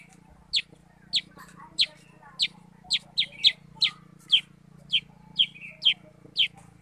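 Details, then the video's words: Sooty-headed bulbul (kutilang sutra) calling energetically: sharp, high, downward-slurred chirps repeated about every half second, some doubled, over a faint low hum. "kutilang sutra super gacor"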